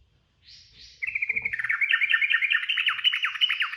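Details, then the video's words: Sooty-headed bulbul in rapid ropel singing, made as training audio for cage birds: two soft opening notes, then a dense, unbroken chatter of quick chirps lasting nearly three seconds. "SUARA TRUCUKAN ROPEL GACOR"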